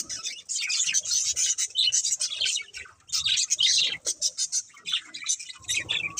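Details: Budgerigar breeding pair giving a dense run of sharp, high, scratchy chirps and chatter, almost continuous, with one short pause partway through and clipped staccato notes toward the end.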